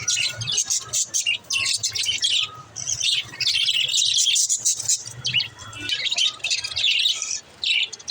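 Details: Budgerigars chirping, played to encourage lonely budgies to chirp: a dense, continuous high chatter of twittering notes, scratchy warbles and short whistles, with brief pauses, over a faint low hum.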